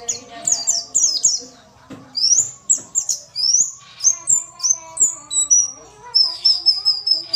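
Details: Female white-eye vocalizing to prompt lazy males: rapid high chirps and rising slurred whistles in lively series, closing with a long thin trembling note.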